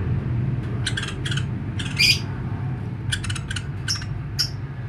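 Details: A woodpecker, in a recording used as training song for magpie robins, gives short, harsh, scratchy chattering bursts in loose clusters, some with a thin squeaky note, over a steady low rumble.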